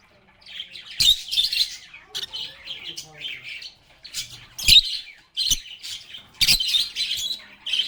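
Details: Lovebirds chattering in bursts, shrill squeaky phrases separated by brief quiet gaps, with several sharp loud squawks standing out.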